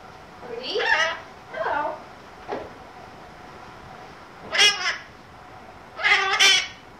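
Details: A pet conure on one of his famous rants, heard indoors: harsh, raspy screeches in short bursts about a second apart, with a fainter squawk between, each burst broad and grating, over a steady background hiss.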